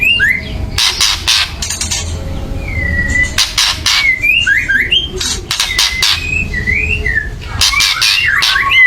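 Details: White-rumped shama giving loud agitated chattering meant to provoke birds to sing: harsh broadband rattling bursts alternating with short whistled slurred notes, a low steady hum underneath.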